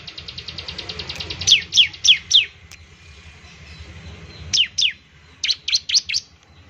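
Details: Bar-winged prinia in song to prompt other birds: a fast ticking trill that slows into loud, sharply falling whistled chirps, a pause, then another rapid series of descending chirps.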